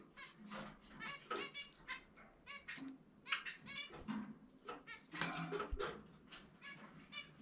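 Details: Pet zebra finch singing its distinctive 'chumi chumi pe' song during indoor free-flight time: bursts of nasal, buzzy harmonic notes strung in quick irregular runs, with soft rustling beneath.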